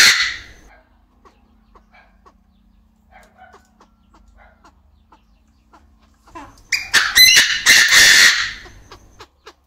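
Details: Male Chinese francolin crowing in an aviary, with a female clucking nearby. A quiet stretch of faint scattered clicks and soft notes leads into a loud, harsh, rasping burst of several grating notes near the end.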